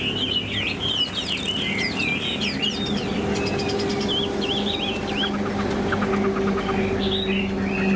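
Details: Tame caged Chinese hwamei in a lively run of high whistled and chirping notes at the start, then sparser trills, with a constant mechanical drone underneath throughout.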